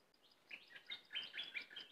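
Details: Cream-vented bulbul song: a quick phrase of bright, slurred warbling notes that rise and fall, growing louder toward the end, with faint regular ticking behind.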